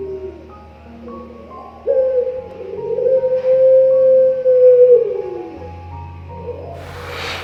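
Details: A five-month-old Barbary dove in its singing phase gives one long, smooth coo, the middle part of its song, held at a steady low pitch for about three and a half seconds; it is judged more flowing, relaxed and rhythmic. Faint background music runs underneath.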